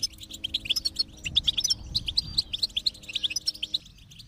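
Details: Goldfinch song played to stimulate a silent goldfinch to sing: quick high twittering chirps, several per second, over a steady low humming drone.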